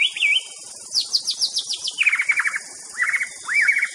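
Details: White-rumped shama song: a rich, varied phrase of rapid high trills and rising and falling whistled notes, shifting between several pitch levels within four seconds, with a faint high hiss behind it.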